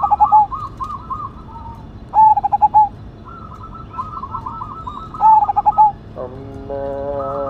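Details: Big-voiced Cemani Majapahit zebra dove singing repeatedly: rhythmic phrases of rapid bubbling coos, each closing on a sustained note, roughly three seconds apart. Other birds chirp in between, and a harmonic tonal call enters at the end.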